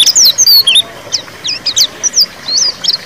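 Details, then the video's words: White-eye ngeriwik song used to prompt a quiet bird into singing; sharp high chirps and short slurred squeaks in quick irregular bursts, ending in a brief warbled phrase. "suara pleci ngeriwik pancingan pleci macet bunyi"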